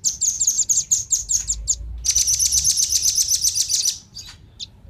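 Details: Male and female velvet-fronted nuthatch calls for luring wild birds: spaced sharp high chips, then a rapid dense trill of piercing notes lasting two seconds, fading into a few isolated chips.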